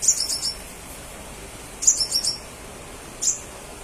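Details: Crimson sunbird in full voice, played to draw answers from other crimson sunbirds: a rapid, high, thin twittering run at the start, a second similar run, then one brief chirp, with low hiss beneath.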